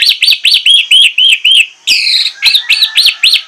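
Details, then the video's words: An orange-headed thrush (anis merah) sings persistently, a fast run of bright, arching whistled notes about four a second, broken by one harsh buzzy phrase before the whistles resume. "ANIS MERAH PLONG NGOTOT BONGKAR ISIAN"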